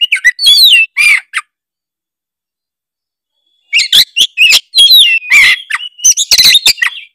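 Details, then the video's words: Kacer (Oriental magpie-robin) in gacor song: a short burst of whistles and rasps, about two seconds of silence, then a long rich run of warbled whistles, trills and harsh notes. "denger suara kacer gacor satu ini"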